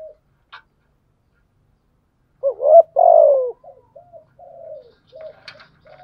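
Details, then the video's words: Spotted dove giving a fighting coo to challenge rivals, a bout of low, throaty coos at 2.5 seconds with a stronger middle note, followed by softer short coos and faint chirps. "gù thúc bài bản, kích bổi rất riêng gáy, cu đất gù đấu"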